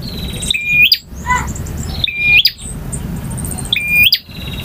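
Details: Male bar-winged prinia song: three clear bursts, each a quick high note dropping into a flat whistled tone that snaps upward at the end, spaced roughly every one and a half seconds, with soft low hum behind.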